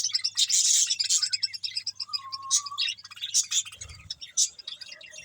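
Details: Several budgerigars chatter while eating green food: rapid high clicks and chirps, a short level whistle in the middle, and faint background hum.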